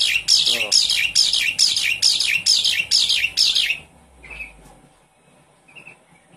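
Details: Javan pied starling kept in a cage, its song serving as a lure for a starling that has gone quiet: about eight loud, harsh, raspy notes repeated steadily roughly twice a second, then near silence with a faint short call.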